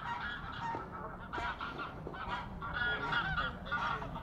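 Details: Geese, grey and Canada, during fights on the water, giving loud nasal honks in rapid, overlapping bursts, several birds calling at once with barely a pause between calls.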